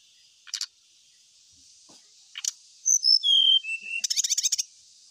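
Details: Ashy tailorbird song used as a lure to set other birds singing: brief chip bursts, then a falling run of clear high whistles and a fast rattling trill, over a steady high insect-like hiss.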